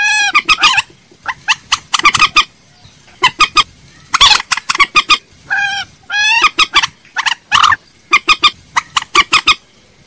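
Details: Common moorhen calling as a lure: dense runs of loud, clipped, nasal notes with several rolling, rattled bursts, groups following each other quickly for the whole stretch.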